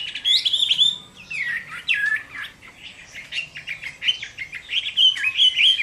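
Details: Chinese hwamei in captivity singing its fighting song at midday in summer. A varied burst of sharp, down-slurred whistles is followed by quicker chattering notes and bright, high phrases.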